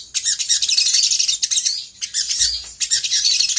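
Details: Lure song of a sooty-headed bulbul, aimed at getting other birds to answer, with dense high warbling phrases broken by two short pauses and a faint low thump.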